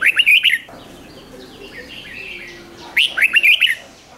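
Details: Song of a red-whiskered bulbul, doubled 'ริก' style used to stir up caged birds: two loud rollicking phrases of five or six bright whistled notes, three seconds apart, with faint chirps in the gap.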